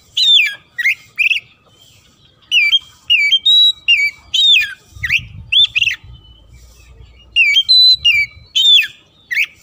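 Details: Oriental magpie-robin in vigorous song, used to anger rivals into fighting, with fill-in phrases broken by pauses: loud, varied whistled phrases with sweeping, dropping notes come in bursts separated by short silences, and faint low rumbling is heard midway.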